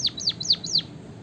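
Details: White-headed munia kept as a cage bird, singing a short run of four high, arching whistled notes that sweep up and then drop sharply, evenly spaced, clear over a quiet low background.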